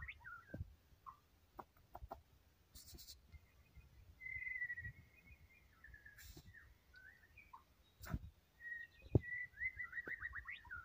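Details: White-rumped shama singing vigorously, a few thin whistled phrases and a sliding rattle-like trill scattered among soft knocks and thumps, with quiet gaps between phrases.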